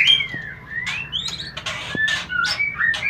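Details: White-rumped shama, sound meant to bring on mating; sliding whistles falling and rising, interspersed with short sharp ticks and bright high pips, fairly close.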